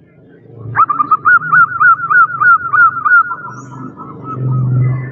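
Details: Female zebra dove calling to attract a male: a sharp onset, then a fast string of rolling, pulsed cooing notes that slowly fade. A low rumbling hum sits underneath.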